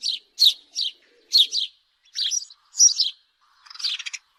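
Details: A house sparrow gives harsh chirps in pairs and singles, ending in a buzzier, more rattling chirp, with clean silence between notes.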